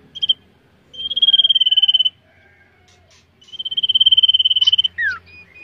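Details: Common iora in training for singing contests: long, steady, high trilled whistles of rapidly pulsed notes lasting about a second each, then a sharply descending slurred note at the end.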